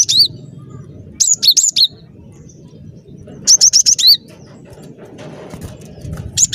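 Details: Lively cinereous tit song offered as a lure for trapping birds: two quick runs of high, piercing paired whistles a couple of seconds apart, then a lone note, against a faint low hum.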